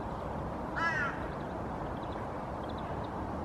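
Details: Female Hooded Crow sitting in her nest, giving a soft nest song; one short, hoarse, harmonic call near mid-pitch, slightly falling, then quiet with faint high chirps of other small birds and steady background hiss.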